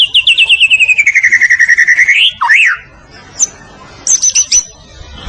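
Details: Murai batu, the white-rumped shama, Medan type, singing for birds to learn from; about twenty quick descending whistled notes in a steady run, a swooping rising-falling phrase, then short high rapid trills.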